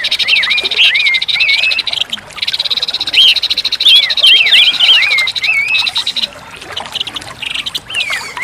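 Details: Orange-headed thrush song used as therapy for a bird that has gone quiet: clear rising and falling whistled slurs strung into rapid phrases with short gaps, backed throughout by a dense, rapid, buzzy pulsing trill.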